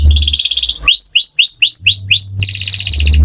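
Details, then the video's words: Canary lure song meant to prompt other canaries to answer: a dense buzzy trill, then six clear rising-then-falling whistled slurs, then the buzzy trill again, over a faint low hum. "pancingan kenari gacor langsung nyaut"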